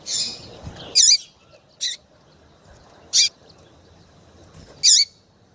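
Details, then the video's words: Female double-collared seedeater, a 'piadeira' chirper, calling to excite males into song: sharp, high, buzzy chirps with a downward tail, four notes spaced irregularly about one to one and a half seconds apart over a quiet, faint background hiss. "FÊMEA DE PAPA CAPIM PIADEIRA PARA DEIXAR SEU PAPA CAPIM DOIDO PARA CANTAR LOGO!"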